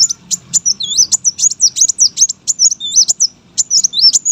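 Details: Brown-throated sunbird, a competition bird, pouring out fast thin chirps and looping squeaky whistles, nonstop for the whole stretch.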